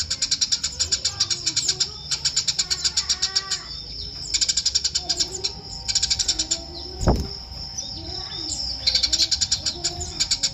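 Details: Eurasian tree sparrow delivering repeated bouts of quick, sharp high chirps, each bout lasting a second or two with short gaps, plus a single loud click and a faint low steady hum.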